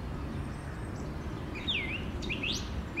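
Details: Song thrush singing on a Sunday morning, 11 April 2021: two or three bright, downward-then-upward slurred whistles, spaced closely, above constant low background noise.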